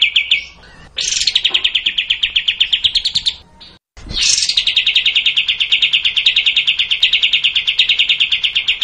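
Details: Sooty-headed bulbul performing the long 'tembak' song: two extended bursts of very fast, even notes, the second lasting over four seconds without a break, with a short clipped gap between them.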